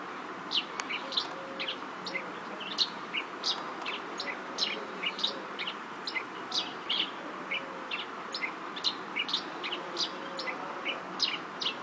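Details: Yellow-throated sparrow, or chestnut-shouldered petronia, at Sufi Anwer Safari Park, Ghotki, Sindh, Pakistan. Bright clipped chirps repeat every half second or so throughout, some rising and some falling, against a constant noisy background.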